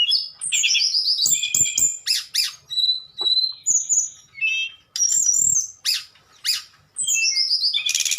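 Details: Tledekan in nyuling style: rapid strings of descending whistled notes mixed with harsher squawky bursts, in separate phrases with short silences.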